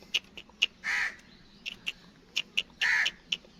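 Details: Black francolin chicks, captive birds kept for sale, giving short sharp high peeps in irregular bursts, with two longer harsh rasping noise bursts among them and a quiet background.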